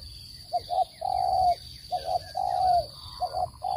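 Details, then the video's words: Spotted dove call, a clean recording used as a lure to trap birds: two short soft coos followed by a long, drawn-out coo, the phrase repeating about every 1.4 seconds over a steady high-pitched electronic whine. "Tiếng chim cu gáy dùng để bẫy chim,giọng chuẩn không tạp âm"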